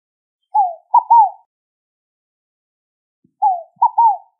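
A Scaled Dove gives a soft, hollow three-note phrase, a falling coo followed by two quick paired notes, repeated once about three seconds later in otherwise quiet surroundings.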